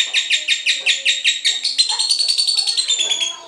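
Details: Ngekek chatter from a cinderella lovebird, meant to prompt other lovebirds to sing: quick buzzy high chirps that speed up and rise slightly midway, then thin into shorter, fainter notes.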